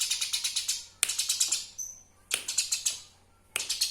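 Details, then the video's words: Eurasian tree sparrow calling, kept as a master sound for training songbirds: repeated rattling runs of quick, harsh chirps about every second, with a thin whistled tone in one pause. "Suara Asli burung Gereja Bukung Untuk Pemasteran"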